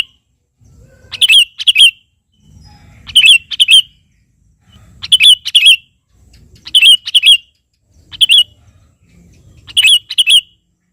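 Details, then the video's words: Energetic sooty-headed bulbul song meant to call out a rival and draw other birds to answer: paired sharp, bubbly chirped notes in quick bursts, repeated roughly every one and a half to two seconds over a soft low rumble. "suara burung KUTILANG GACOR memanggil lawan ini"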